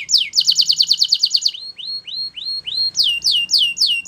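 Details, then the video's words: Belgian canary song for teaching canaries to sing: a rapid rolling trill of bright repeated notes, followed by slower rising whistled slurs and then quick descending phrases. "Belgian Canary Singing Makes Your Canary Sing All The Time!!"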